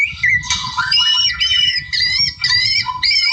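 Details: Wild white-rumped shama singing to provoke a rival: short bursts of harsh chattering alternating with bright wavering whistled phrases, about two per second, over a faint low rumble.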